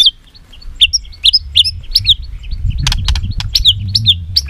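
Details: White-rumped shama fighting song (hót đấu) for voice training: short sharp whistled chips repeated about every half second, mixed with clicks, over low background rumble.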